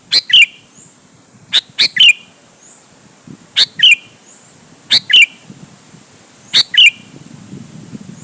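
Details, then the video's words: Sooty-headed bulbul singing to provoke other bulbuls to answer: five loud paired phrases, a sharp click then a bright ringing whistle, repeated roughly every one and a half seconds against a quiet background. "suara burung KUTILANG GACOR MENEKAN LAWAN"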